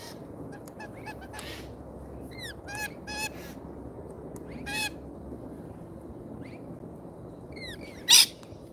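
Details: Lorikeets visiting a feeder in Australia: scattered short, harsh screeches with pauses between, one louder rasping burst near the end, over quiet background hiss.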